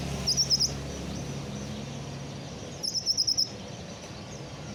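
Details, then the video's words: Sunbird (kolibri ninja) kept by a hobbyist, newly finished moulting: two bursts of fast, very high, tinkling chip notes about two and a half seconds apart, then a final single note, with low hum throughout. "BURUNG KOLIBRI NINJA BARU SELESAI MABUNG"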